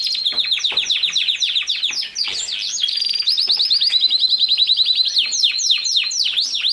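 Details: Canary singing a loud, continuous song: rapid series of sweeping high notes, some sections fast trills, phrases changing every second or so.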